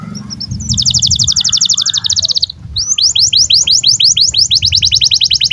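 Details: Breeding-condition canary song used to tutor young canaries: a rapid buzzy trill lasting about two seconds, a short pause, then a rolling series of quick sweeping notes over steady low background hum.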